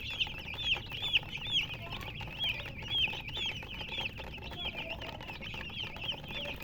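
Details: Chicken chirping: bright, sharp high peeps repeated in quick uneven bursts of roughly two per second, over a faint low rumble.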